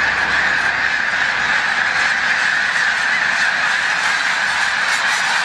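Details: A huge flock of snow geese at Montezuma, New York, on 7 March 2022 near the peak of migration. A dense, unbroken chorus of high, nasal honks and yelps blends into one steady roar.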